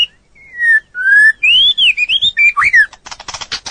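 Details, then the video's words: Training song of a white-rumped shama in full voice: falling whistles, a rising clear whistle, a string of wavering high notes and a swooping slur, then rapid harsh rattling notes. "Masteran burung murai batu durasi panjang burung gacor owor owor"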